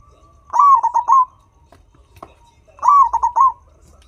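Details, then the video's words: Gacor local turtle dove giving two coo phrases roughly two and a half seconds apart. Each begins with a short lead-in, then stutters through three or four rapid pulsed notes and finishes with a longer held coo. Little else is audible. "The Local Gacor Turtledove That Pulls The Sound immediately Makes a Sound"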